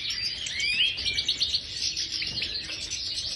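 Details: European goldfinch of the major subspecies in an aviary, delivering a bright, rapid twitter of tinkling notes and short upward-sweeping whistles, lively and unbroken throughout.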